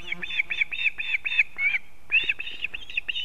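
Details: Osprey at a nest in an old pine in Kurzeme, Latvia, on 1 September 2024, as the father brings a fish to the chick for breakfast: a rapid series of high, thin whistled chirps, about four per second, with a short pause midway.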